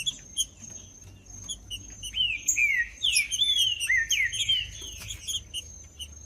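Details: Green-winged saltator song used to stir a quiet, cold trinca-ferro into singing: a run of loud, sliding whistled phrases dipping and rising, over scattered sharp high chips and a constant shrill background tone.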